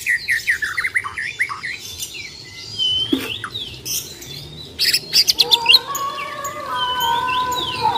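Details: Bornean white-rumped shama in fighting mode: rapid run of short falling whistled notes, a pause, then a burst of sharp high chips and a sustained ringing whistled phrase with fluttering harmonics.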